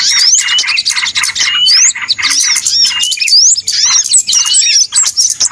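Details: Noisy flock of small birds used as a trapping lure: rapid staccato chirps mixed with thin upward-slurred whistles, briefly thinning out before surging again.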